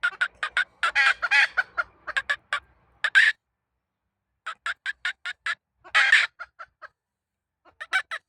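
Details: Domestic hen cackling in irregular bursts of rapid harsh clucks broken by short pauses, with a few louder drawn-out squawks among them.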